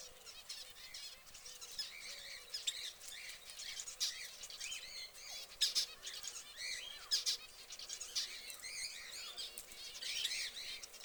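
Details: Orange canary kept in a cage, giving a busy run of high, rapid chirps and twittering trills, short bursts tumbling over one another with brief gaps, with faint lower notes of another bird beneath.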